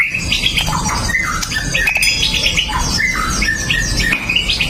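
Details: Song of a pastol white-rumped shama meant to provoke other males into singing, recorded on a Xiaomi Note 8 Pro. Dense, varied whistles and quick slurred notes follow one another without pause, over low background rumble.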